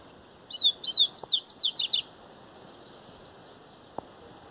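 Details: Coleiro in the Baiano grego song style: a brief high, sweet phrase of slurred whistles speeding into rapid descending chips, about one and a half seconds long, followed by quiet with a couple of faint clicks.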